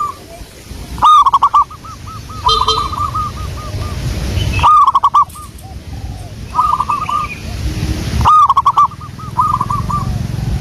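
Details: Local wild zebra doves sing vigorously, recorded as a lure. Three loud, staccato coo bursts come roughly every three to four seconds, each trailed by rolling coo series, while other doves call more softly.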